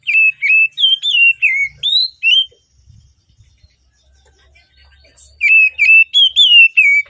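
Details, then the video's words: Oriental magpie-robin singing eagerly in the morning, used to prompt birds that sing little: a brisk series of looping whistled notes, a quiet stretch of about three seconds with faint low noise, then a further whistled run. "Kacer Gacor Di Pagi Hari"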